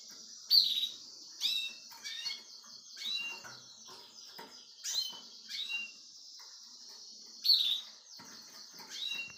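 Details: Indoors, where a nine-year-old male Russian canary teaches its grandchildren: sharp high chirps repeated every second or two over a thin steady whistle, with softer twittering between them.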